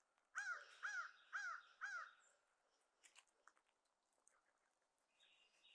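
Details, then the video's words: Crows on Christmas Day harassing black vultures to reclaim their food pile: four harsh, arched caws in quick succession, about half a second apart, then faint scattered calls and rustling. "Crows Dive Bomb Vultures on Christmas Day"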